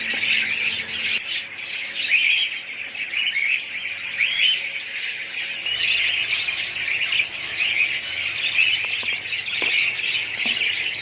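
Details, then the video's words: Budgerigars calling in a colony, many birds at once producing a steady wash of chirruping warbles and sharp squawks, busy and unbroken throughout. "budgies parrots colony"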